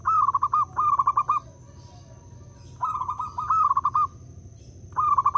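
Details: Zebra dove, local perkutut, cooing as a lure to spur other doves into song: paired runs of quick pulsing coos, a pause, two more rolling phrases, then a final burst; steady high whine underneath.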